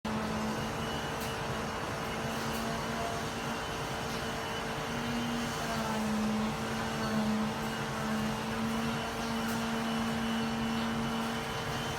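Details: A steady engine-like hum with tonal drones fills the recording, and no animal calls can be picked out. Only mechanical noise is heard.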